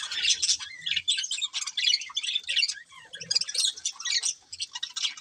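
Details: Colourful budgies of a breeding pair produce nonstop rapid chirping and scratchy warbled chatter. Occasional whistled squeaks and faint low bumps sound beneath it.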